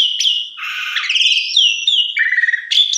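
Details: Unbroken lure song of a Javan pied starling: sweeping whistles, a rattling trilled passage, downslurred notes and a sharp high ending, rich and varied throughout.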